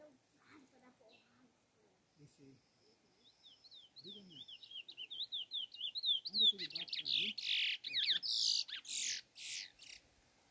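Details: A chestnut-bellied seed-finch (curió) on a farm, recorded 5 March 2022, sings a run of quick, slurred whistles that swell into loud, ringing phrases, while faint voices murmur low in the background.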